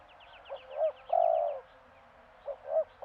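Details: Madura-type spotted dove (tekukur), played in the morning to encourage other doves to call: soft low coos, two short notes and then a long purring coo, repeated. A faint series of high chirps sounds behind.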